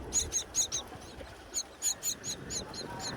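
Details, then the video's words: Begging of wild myna nestlings as their mother feeds them high in a palm tree during breeding season; sharp, high, squeaky chirps come in quick pulses, about three a second, over soft background noise. "Mother Myna Feeding Hungry Chicks on a Tall Palm Tree"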